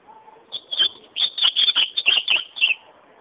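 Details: Ultramarine grosbeak (azulão) singing a rich, fast warble of slurred whistled notes that tumble together over about two seconds, after a soft lower note at the start.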